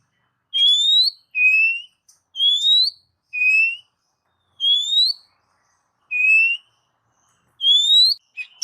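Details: Oriental magpie-robin whistled song for training pet birds: a steady series of clear rising whistles alternating between two pitches, each about half a second long, spaced roughly one second apart.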